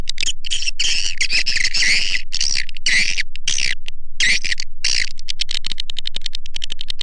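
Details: Swiftlet-attracting call shared with swiftlet farmers in Indonesia: harsh, buzzy twittering bursts interleaved with rapid dry clicks, overlapping in a continuous chattering stream that ends in a quick series of ticking notes.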